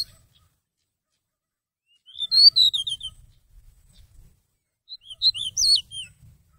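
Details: Seychelles magpie-robin song played to lure birds for trapping, recorded November 2016: two short bursts of bright, swooping, twisting whistles about three seconds apart, separated by near silence.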